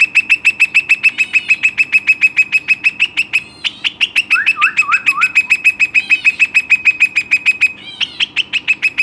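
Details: Western rock nuthatch kept as a pet bird, described as lively and full of energy, delivering a long, fast run of loud, ringing notes repeated over three times a second, broken midway by a few descending slurred whistles.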